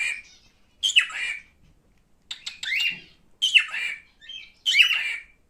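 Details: Pet male cockatiel repeating raspy, upward-sweeping squawks roughly every second, interspersed with quick clicking notes, in a quiet indoor setting.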